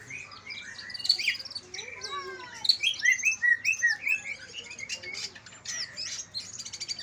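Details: Dense, chattering greater green leafbird song, Kalimantan versus Banyuwangi birds, played to rouse quiet leafbirds: rapid mixed chirps, buzzy notes and high whistles tumbling together with scarcely a pause.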